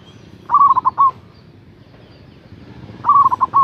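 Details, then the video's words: Zebra dove of local stock, a strong and loud caller used to lure rivals, gives two rolling phrases about two and a half seconds apart. Each is a short burst of fluttering coo notes ending in a slightly longer note, over low background hum. "Suara Perkutut Lokal GACOR Suara Besar Ampuh memanggil LAWAN"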